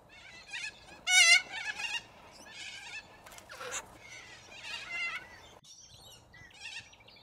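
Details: Australian corellas feeding as a big flock on root grass; loud, grating screeches with a buzzy, wavering texture, one very harsh burst standing out, followed by scattered raspy calls from other flock members.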